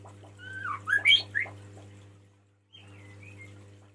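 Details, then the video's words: Male White-rumped shama calling the female: a short burst of rich whistled notes, rising and falling and clustered in about one second, then a brief quiet gap and a few thin faint whistles, over a steady low hum. "SUARA KICAU BURUNG MURAI BATU JANTAN MEMANGGIL BETINA"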